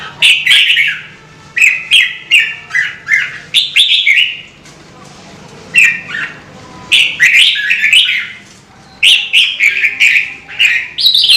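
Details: Kept red-whiskered bulbul urged into song, producing fast runs of short cheerful whistled notes in clustered series, pausing briefly between bursts, over a quiet background hum.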